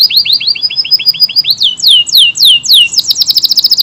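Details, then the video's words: Song of an AF canary: a quick rolling trill of short high notes, then slower, louder downward-sweeping whistles, ending in a fast buzzy trill. "KENARI AF GACOR, durasi panjang tembakan rapet"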